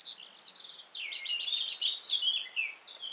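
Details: Wild yellow-fronted canary in full song, giving a bright high note then a string of lower, sweet slurred phrases that rise and fall, slightly softer and more spaced than a fast warble.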